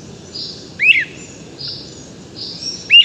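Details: {'caption': 'Great crested flycatcher recorded from directly below the bird at the crack of dawn as it began its dawn song: two loud, sharp, whistled rising-falling rip calls, with fainter blurry notes in between.'}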